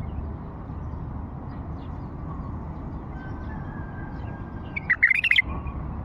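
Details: Low steady hum fills most of the recording until an old bulbul from Fao delivers one quick, bubbling phrase of clear, closely spaced notes near the end.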